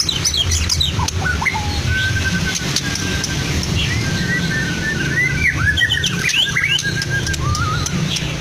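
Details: White-rumped shama of the Medan type in a Blora cage, known for mimicking lovebird, canary and cililin, utters sparse thin whistles, a held steady note and upswept chirps against a low rumble.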